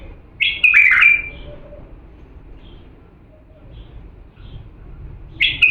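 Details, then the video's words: Diyala bulbul singing for chick tutoring: a loud bubbling whistled phrase near the start, a long quiet gap with faint ticks, then the next phrase beginning at the very end. "افضل تغريد بلبل ديالى الاصيل لتخريج الافراخ"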